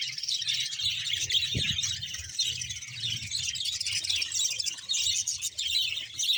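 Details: A colony of about 100 pairs of budgerigars in Bahawalpur. It gives a dense, continuous chatter of high chirps and warbles from many birds at once, with a soft low rumble underneath.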